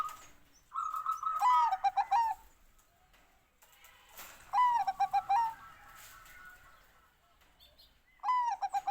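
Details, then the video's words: Bangkok-type zebra dove singing three phrases, each opening with a high clear note that drops into a quick run of five or six soft pulsed coos near the same pitch, phrases spaced about three seconds apart over quiet background. "OCEHAN BURUNG PERKUTUT BANGKOK"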